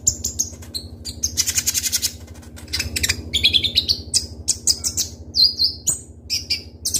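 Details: Van Hasselt's sunbird, known locally as kolibri ninja or konin, in full lively song with sharp, crystal-clear shots: high thin whistles, quick downslurred notes and dense rapid buzzy bursts, some notes rising and falling, over a steady low hum.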